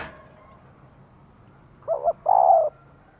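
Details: Female spotted dove stimulating a male, giving one phrase late on: a brief two-part coo, then a drawn-out steady coo, over a quiet background.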